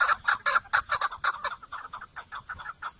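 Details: Chukar partridge giving a rapid chuckling series of about sixteen short, harsh notes in three seconds, loud and clipped at first, then softer and more spaced.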